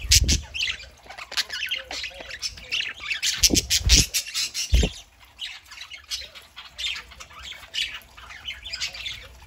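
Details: Several pet parakeets (budgerigars) indoors on a Saturday morning, giving a steady stream of scratchy warbles, squawks and chirps, with a few low thuds and bumps in between.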